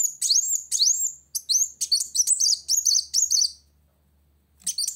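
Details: Challenging a rival, a Van Hasselt's sunbird gives high upward-sweeping whistles followed by a choppy run of sharp twittering notes, then falls silent before a brief final burst.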